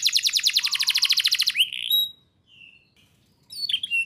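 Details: Canary song aimed at getting young canaries to sing: a quick, dense, high trill of about a second and a half, followed by a soft pure whistle, brief chips, and a short warbled phrase.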